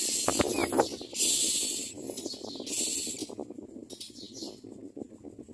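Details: Nestling common mynas begging to be fed: a few sharp clicks and a quick chirp, then raspy hissing bursts that grow fainter and break into short wheezy pieces, over background rustle.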